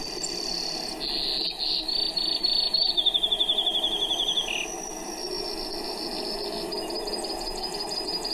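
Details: Brewer's Sparrow long song, sung at the height of breeding: one high, fast trill after another on different pitches, some buzzy and too quick to count; sage sparrows audible in the background, with wind noise.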